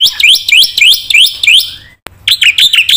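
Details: Black-winged myna singing isian-laden song meant to draw out and teach birds that fell silent: rising whistled notes repeated about four times a second, a brief silence, then louder looping high phrases.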